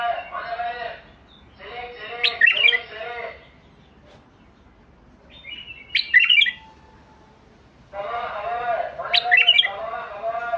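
A White-eared Bulbul sings bubbly, chattering phrases broken by bright, sharp whistled notes, in four short bursts spread across the clip with quiet pauses between.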